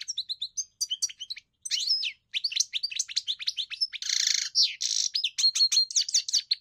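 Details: A European goldfinch sings a lively jumble of tinkling chirps, clear whistled notes and two harsh buzzy rattles around the fourth and fifth seconds, delivered with hardly a break.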